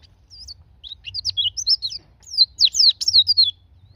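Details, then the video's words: High-pitched twittering song of a white-eye (pleci), used to encourage caged birds to sing. Thin whistled notes start sparse, then build into a rapid cascade of sharp, descending chirps before stopping abruptly. "Pancingan pleci agar buka paruh"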